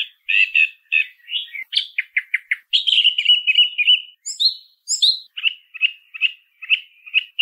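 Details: Singing song thrush: rapid clusters of short notes, a run of staccato chips, a sustained whistled trill, then a short whistled motif repeated five times.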